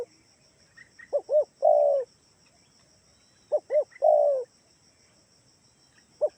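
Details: Spotted dove from Kalimantan giving a lure call so other doves answer: two quick hoots and a longer descending coo, repeated twice, over low background rumble and faint high chirps.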